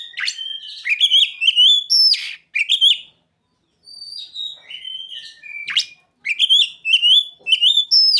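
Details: Oriental magpie-robin song filled with ciblek and sogon imitations: loud continuous strings of bright whistles and fast ticking notes, broken by one brief silence, then renewed lively warbling.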